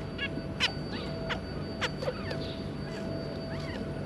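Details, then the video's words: Zebra finch family, a pair with their three juveniles, recorded 2 August 2022: scattered short, nasal, sharply rising call notes spaced irregularly over a steady low hum and background noise. "Zebra Finch"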